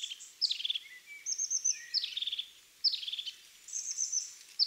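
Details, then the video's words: European crested tit song: high-pitched thin notes followed by quick downward sweeps ending in stuttering purring trills, phrases coming about once a second with brief gaps. "Как поёт Хохлатая синица Гренадёрка?"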